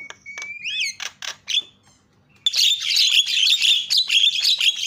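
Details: Starling lure call: a whistle rising and wavering, clipped chips, a brief silence, then a continuous loud harsh chatter mixed with high whistled tones.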